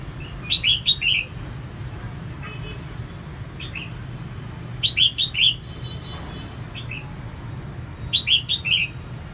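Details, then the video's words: Female red-whiskered bulbul singing to stimulate males: three bright phrases of about four quick, slurred whistled notes, spaced roughly four seconds apart, over a steady low background hum. "CHÀO MÀO MÁI SIÊNG HOT KÍCH TRỐNG CĂNG LỬA"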